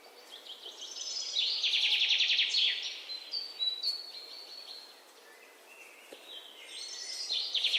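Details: Alexandrine parakeet chicks, recorded 19 May 2023: bursts of rapid, high, thin chirps in dense runs, loudest in the middle and again at the end, with quieter scattered notes and faint background noise between.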